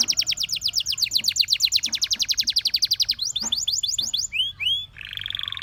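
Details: Singing canary delivering a long rapid trill of sharp descending notes, then quicker chirps, looping upslurred whistles and a final buzzy, slightly rasping roll.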